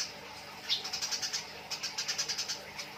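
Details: Eurasian tree sparrows fighting, in a bird-training recording: a fast run of harsh, sharp chirps repeated several times a second, with a short pause near the middle, over a faint steady hiss.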